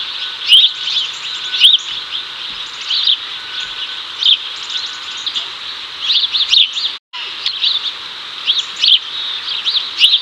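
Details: House sparrows in Chicago, 2024, the male calling the female over as they get cicadas; clipped chirps repeat every second or two, with a steady shrill hiss behind and a brief dropout midway.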